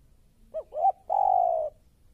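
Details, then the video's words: A newly caught, fierce spotted dove (tekukur), used as a lure bird, gives two short rising coos followed by a long, level, slightly falling coo, soft and mellow, with nothing else heard. "Suara Tekukur Baru Galak"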